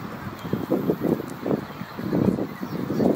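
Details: A pied shag (cormorant) at Zealandia, Wellington, New Zealand gives low, guttural croaks and grunts in quick, uneven bursts, several per second, with no other clear sounds.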